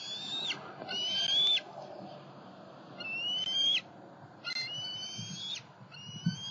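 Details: Southwest Florida juvenile bald eagles, 5 July 2020, travelling from nest to pond to snag; somewhat distant, repeated high whistled calls, each slurring slightly upward, against a steady background hiss.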